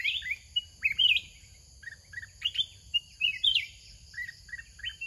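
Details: Large wild-caught red-whiskered bulbul used as a decoy, singing short, bright, warbled phrases of a few liquid notes every second or two, over a thin high steady insect-like hum.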